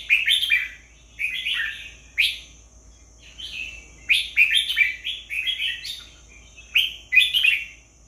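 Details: Red-whiskered bulbul song: lively chirpy whistled phrases of two to four notes, repeated roughly every second with short gaps, against a constant faint high-pitched tone.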